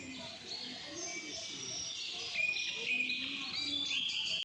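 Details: Outdoor chorus of chirping birds with ants and insects nearby: bright, high twitters and short tweets overlapping steadily, with a few clearer whistled notes and a louder burst of chirps in the second half, above faint low ambient noise.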